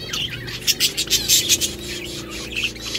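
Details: Several budgerigars chirping while eating food: bright, scratchy chirps and short squawks in quick overlapping bursts, denser in the middle, with a low steady hum underneath.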